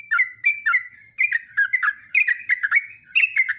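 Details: Rapid, bubbling whistles from a yellow-vented bulbul in a long continuous training recording, the notes tumbling downward one after another with brief gaps, sounding chattery and bright throughout.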